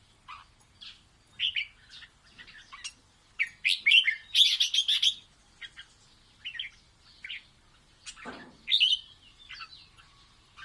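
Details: Red-whiskered bulbul singing playfully for its chicks, a string of short sweet whistled and warbled notes building into a fast jumbled flurry midway, then scattered phrases with one low downward note.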